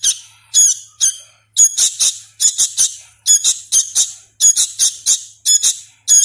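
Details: Sooty-headed bulbul chick on hand feeding, still learning its voice, calling in harsh, grating high squeaks grouped in twos and threes, with short silences between groups.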